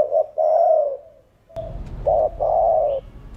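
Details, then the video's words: Spotted dove in 'thổ đồng' style cooing to stimulate other doves: short note, long falling coo, a pause, then a clipped note and another long low coo over a rumbling background noise. "Cu Gáy Giọng Hạp Bổi THỔ ĐỒNG Đủ Bài [ GÁY GỌI + THÚC + GÙ ] Kích Bổi Gáy"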